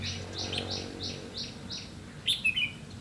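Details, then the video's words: Red-whiskered bulbul during decoy-bird trapping, 30 May 2016: a series of six evenly spaced, rising buzzy strokes gives way to a loud, quick burst of chirpy whistled notes near the end, with low background hum. "Bẫy chào mào lăng săng ché-cánh"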